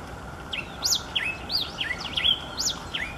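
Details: Yellow cardinal singing clear, whistled phrases of sharp rising and falling slurs, several notes each second, some sweeping high then dropping, over a faint steady background hiss.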